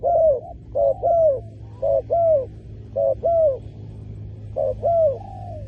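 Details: Spotted dove calls for luring wild doves on the ground. Five phrases of short coos and a longer falling coo are repeated roughly once a second, soft and low-pitched, with a steady low hum throughout.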